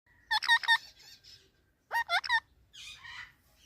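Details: Indian ringneck parakeet talking: two bursts of three or four quick, voice-like harmonic syllables with a pause between, then a softer hoarse mumble trailing off.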